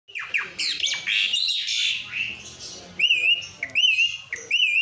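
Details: Asian pied starling singing: a harsh, noisy, rasping opening phrase, followed by loud whistled notes with wavering, warbled tops, repeated three times.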